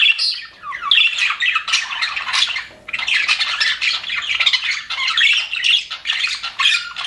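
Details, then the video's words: Happy pet budgies in an aviary chatter loudly: a dense stream of squeaky, buzzing warbles with quick rising chirps, dipping briefly before the chorus resumes. "HAPPY BUDGIES SOUNDS"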